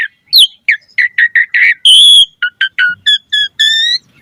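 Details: Asian pied starling singing a varied run of short whistled notes, some falling, a loud harsh buzzy note in the middle, then clearer steady whistles with ringing overtones.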